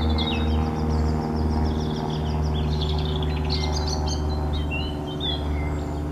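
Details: Robin singing high, thin, wavering phrases with repeated quick notes and downslurred whistles, over a strong steady humming drone.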